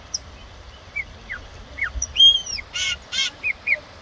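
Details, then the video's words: Song of a wild chopi blackbird, with scattered short whistled slurs, then a longer looping whistle, two harsh raspy bursts and a few closing chirps. "ASSUM PRETO SELVAGEM"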